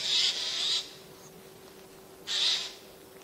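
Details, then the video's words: A long grating screech and, after a silence of over a second, another shorter harsh rasp from Eurasian jays hiding in spruces in September 2024. "Голоса соек"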